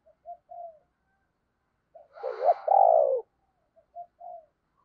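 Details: Decoy spotted dove luring wild doves: faint short coos, a louder, rougher, swelling coo in the middle, then quiet short coos again, with no other sounds.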